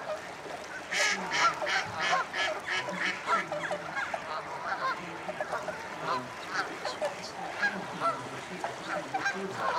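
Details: Common starlings gathering before roosting at Slimbridge Wildfowl Trust, Gloucestershire, UK: a dense, continuous chatter of clicks, rattles and broadband bursts from many birds, pulsing irregularly, with deeper honking waterfowl calls mixed in.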